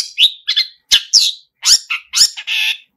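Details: Long-tailed shrike delivering lively mimicry-rich song: loud squawky upslurred notes in quick succession, ending on a drawn-out buzzy note.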